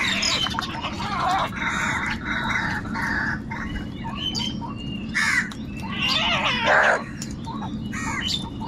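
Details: Crows calling, described as angry and fighting for food; overlapping harsh squawks and chirps from several birds, with a louder rasping burst near the end over a steady low hum.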